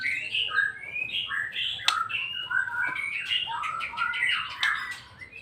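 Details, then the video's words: White-rumped shama (murai batu) in continuous varied song of fluty whistles and quick chattering phrases, softer and somewhat muffled, with sharp clicks mixed in. "rol panjang burung murai batu"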